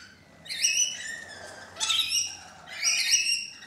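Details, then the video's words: A flock of thirteen rainbow lorikeets on a balcony produce three loud bursts of grating, shrill screeches, each lasting about half a second, roughly a second apart. "Balcony Birds EPISODE 1: Rainbow Lorikeets"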